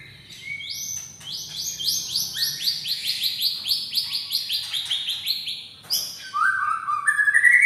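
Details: White-rumped shama of the Medan type in full vigorous song: a long rapid series of bright high whistled notes repeated about four per second in rising and falling steps, ending with a lower sustained buzzy trill.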